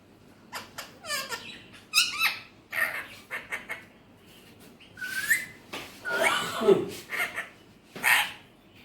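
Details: Alexandrine parakeet talking in Urdu/Hindi. Varied chattering, speech-like syllables and squeaky mimicked phrases come in uneven bursts, mixed with a rasping note and short whistled inflections.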